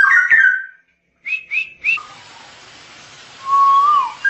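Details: Ngoceh song of a straw-headed bulbul used for masteran: a rich whistled warble, silence, three short bright rising notes, then a drawn-out level whistle that bends upward and falls.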